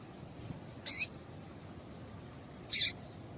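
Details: Female double-collared seedeater giving the call said to make males sing: a pair of short, rasping high notes about two seconds apart, with low background noise.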